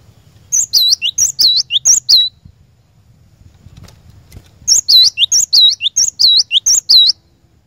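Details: Lure song of the cinereous tit, known locally as glatik batu, to prompt a caged bird to sing: two bursts of sharp high whistled notes in rapid looping pairs, separated by a two-second lull of faint rumble.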